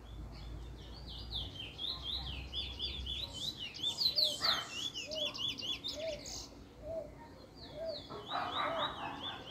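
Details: Chestnut-bellied seed finch, a Trinidad bullfinch in its first black, developing its song form, recorded 10/10/20: rapid high whistled warbling with sliding, buzzy notes, plus soft lower chirps repeating at intervals and faint background noise.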